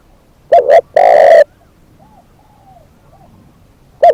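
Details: Decoy spotted dove calling one phrase of two short coos and a long rough coo, then several soft, quiet coos from farther away before a new phrase begins.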